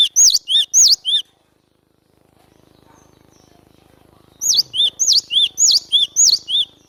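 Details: Glatik batu, the cinereous tit, singing as a tutor and lure for trapping: loud paired whistles, a rising high note then a lower falling one, a short run, silence, then a longer run of about six pairs.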